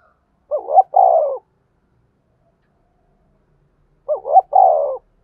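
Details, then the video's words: Spotted dove lure bird for trapping with lime sticks delivers two identical coo phrases about three and a half seconds apart: a short double note, then a long, slightly falling coo, in otherwise silent surroundings. "tiếng cu gáy mồi chuẩn gáy gọi và THÚC dùng kích bổi hiệu quả nhất"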